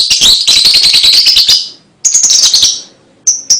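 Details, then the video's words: Lovebird chatter, clear recording for stimulating young birds: a fast, buzzy, high-pitched twittering burst, a short pause, a second scratchy run, then two lone sharp chips. "LOVEBIRD MANAPUN PASTI IKUT NYUAT DENGAR 3 DETIK KICAU INI"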